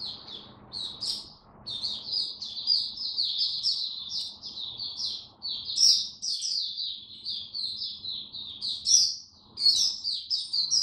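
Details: During cold rainy weather, a caged oriental white-eye delivers 'buka sing raja' song: a steady, rapid stream of high, sweet chirps with occasional louder accents, running for about ten seconds above a faint low hum.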